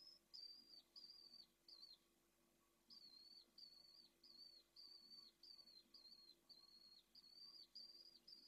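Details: Pallid swift nestling about to fledge, peering from its nest-crevice entrance before dawn in late May–June 2022, Jerez de la Frontera, Spain: a fast run of buzzy, slightly falling high screeches, about two per second, with a short mid-pause; low hum beneath.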